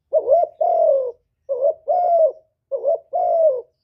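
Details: Spotted dove singing a full hạp bổi-style song of calling, urging and cooing, recorded live without background noise: three low two-part phrases, a short wavering note then a longer falling coo, each about a second apart, in silence.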